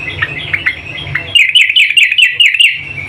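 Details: Female sooty-headed bulbul calling a male: softer chirps give way to a loud, rhythmic run of short, bright, slightly descending notes, about six in quick succession.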